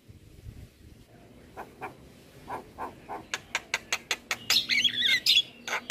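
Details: Javan myna tutor recording: a quiet start, then a steady series of sharp clicking notes speeding up at about four per second, then twittering whistled squeaks over the clicks.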